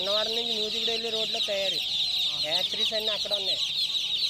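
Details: Domestic chicken chicks keep up a steady high-pitched peeping chorus. Louder low harmonic calls come in stepped, wavering phrases, with brief sweeping notes near the end.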